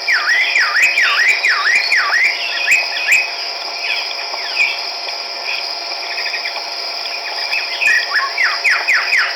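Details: Chestnut-backed laughingthrush from Hukaung Valley, Kachin State, Myanmar, March 2010: dipping V-shaped whistles repeated rapidly, then scattered chattering notes, all over a constant loud high insect drone throughout.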